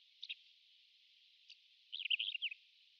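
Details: Pied wheatear, a rare passage migrant, giving two brief clicking notes, then a short scratchy, warbling twitter of rapid up-and-down notes, on a quiet background.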